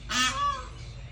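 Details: A domestic goose (female) honks at another goose, wanting him to come out: one loud, harsh, nasal honk of about half a second, followed by a faint low background hum.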